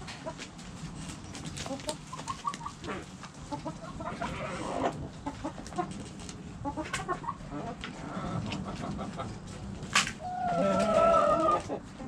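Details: Backyard hens clucking in a steady series of short, low clucks and murmurs, ending in a louder drawn-out squawk with clear harmonics.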